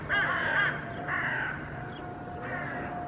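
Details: Hooded crow (Corvus corone cornix) in a Helsinki park on 8 May 2024, reacting to and chasing a Common Raven carrying pigeon pieces, gives three harsh, rasping caws about a second apart over a faint steady hum.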